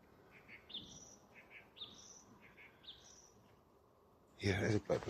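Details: A common blackbird, thought to be a male, sings on a Thursday morning, 13 November, at East Tilbury: faint, fluty phrases roughly once a second, with higher twittering notes at the end of each. A man's voice follows.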